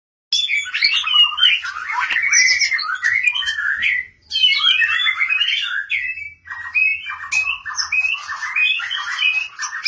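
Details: White-rumped shama, long-tailed bird kept ready for breeding, singing a rich, varied run of whistles, slurs and harsh chattering notes, phrases rising and falling with brief pauses between bursts.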